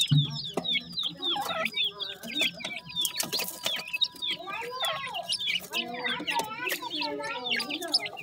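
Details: Just-hatched grey francolin chicks calling their mother, giving many quick, high, slurred peeps in overlapping bursts, mixed with lower, rounder harmonic calls and a steady faint hum in the background.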